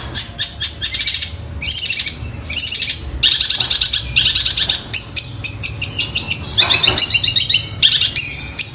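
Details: Long-tailed shrike imitating a tree sparrow and a tiger shrike, pouring out dense bursts of rapid high chatter separated by brief gaps, with one longer downward whistle midway.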